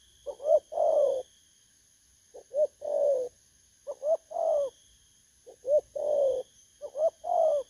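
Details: Five rhythmic coo phrases from a wild-caught spotted dove, recorded 19 August 2024. Each opens with a short soft note and an upswept coo, ending in a longer mellow, slightly descending coo, about every one and a half seconds, over a faint high hum.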